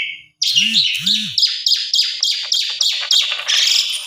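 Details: Lure song of an Asian pied starling meant to draw replies from others: a faint whistle, then a fast, steady series of harsh, buzzy chattering notes, roughly three per second, with two low rounded tones near the start.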